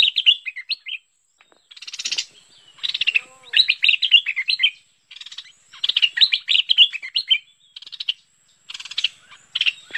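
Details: Bulbul (merbah lekir) lure recording from 2021, giving busy chattering bursts of bright, warbled notes, each about a second with brief pauses between; no other sounds stand out.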